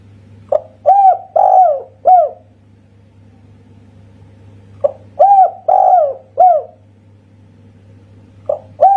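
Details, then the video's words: Indonesian local spotted dove, 'kuk satu' singing style, giving repeated phrases of a quick introductory note and three mellow sliding coos, separated by pauses of several seconds, against a steady low hum. "Masteran Tekukur Kuk Satu Suara Istimewa."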